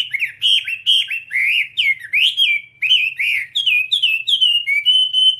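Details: Whambie singing for a master recording used to train other whambies: a fast chain of bright whistled notes, each rising then dipping, about two per second, ending on a level whistle.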